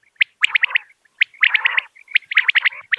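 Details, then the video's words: Calling common quail: short, bright, high notes struck in quick groups of three or four, each group with a husky lower buzz underneath. The groups repeat about every second. "بٹیر کی صاف آواز | Common Quail Calling Sound"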